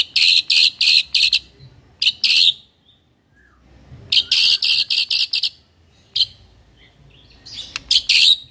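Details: White-rumped shama, known locally as murai batu, singing vigorously: bursts of rapid, harsh, high chattering notes in tight clusters of four to eight, separated by short pauses, with a softer single note between bursts.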